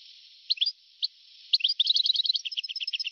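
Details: European goldfinch in an old recording from 1982–1990: a few isolated chirps, then a quickening stream of tinkling, evenly repeated twitters that runs to the end, with tinny sound quality.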